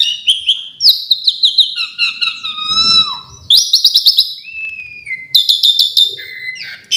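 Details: Asian pied starling in full varied fill-in song, mixing long clear whistles, a smooth falling glide, and dense rattling buzzy bursts, with short pauses between phrases.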